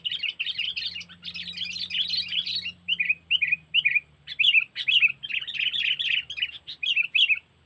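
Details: Sooty-headed bulbul trapping lure, 'cengkeram' style from Lampung: long run of dense chattering, then short separate bubbly phrases repeated about twice a second, over a faint low hum.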